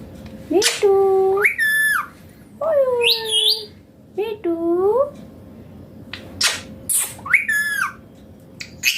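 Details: Indian Green Ringneck parrot talking with crisp, rising and falling speech-like syllables. A few bright whistled notes and harsh high squeaks break up the phrases.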